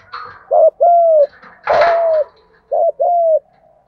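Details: Spotted dove cooing in the 'thúc gù' manner to stimulate other doves; two low paired phrases, a short clipped note then a long smooth slightly falling coo, separated by a single longer coo over a burst of scratchy noise.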